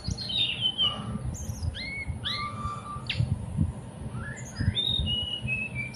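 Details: Song of a Sunda whistling thrush, with clear whistled phrases that rise and fall, one long level whistle, and short upward slurs separated by brief pauses, over low background rumble.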